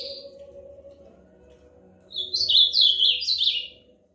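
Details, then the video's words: Ultramarine grosbeak delivering a lively warbled phrase of quick, sliding whistled notes that step up and down for about a second and a half, preceded by a short high note and a quiet pause, with faint background hum. "Belo Azulão Cantando Muito"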